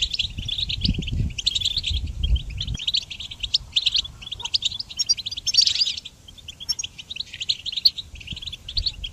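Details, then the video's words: Training song of a goldfinch for songbirds: rapid chattering phrases of bright twitters and short trills running without pause, with low background rumble during the opening seconds. "Goldfinch Song Training"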